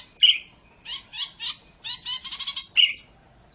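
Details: Zitting cisticola (cici padi) song used for luring wild birds and tutoring captive ones: sharp high chirps open and close a run of buzzy, rasping high notes in short spaced bursts.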